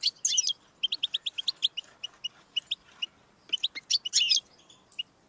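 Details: Goldfinch song for stimulating a pet goldfinch: a buzzy burst, a quick run of bright chirps, a pause, then another harsh twittering flourish before trailing off.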